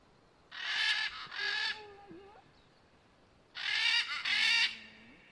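Military macaw giving two loud, harsh, grating squawks about three seconds apart, each a rough double burst, with faint background noise between.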